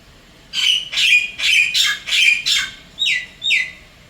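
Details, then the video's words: Wild Javan myna visiting an apartment in Singapore, calling to its mate; a run of seven harsh, squawky, descending notes at roughly half-second intervals, the first five rasping and broad, the last two cleaner whistled slurs dropping in pitch. "Begini bedanya Kicauan Jalak Kebo liar di Singapura"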